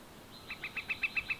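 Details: Northern flicker calling: a quick run of eight sharp, clipped notes that grow louder, spaced evenly over about a second against a quiet background.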